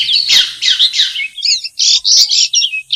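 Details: Long-tailed shrike in its natural habitat giving harsh, scratchy squawking notes, then clearer twisting whistled phrases in quick succession.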